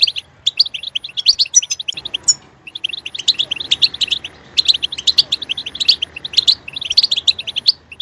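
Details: Singing goldfinch recorded to stimulate other birds to sing; bursts of rapid, high twittering and chirps come in clusters separated by short gaps, with the background noise changing slightly after the first two seconds.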